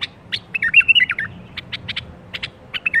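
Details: Bulbul birwaz, played so other bulbuls start singing: a sweet rising-and-falling whistled phrase, followed by clusters of short sharp chirps and a brief closing warble.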